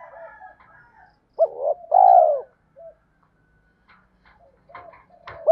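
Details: Spotted dove lure call for training newly caught birds to sing and fight. One clear low phrase, a stuttering double note leading into a drawn-out descending coo. Scattered faint bird notes sound before and after.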